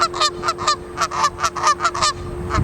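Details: Canada geese near ducks in Regina, Saskatchewan, Canada, honking in a quick, nasal run of about ten calls in under three seconds, over a faint steady hum.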